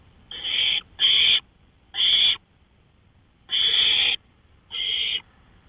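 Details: An owl calling at night on a porch at 1:53 AM on May 5, 2013: five harsh, hissing screech-like bursts, each about half a second long, at irregular spacing over quiet background hiss.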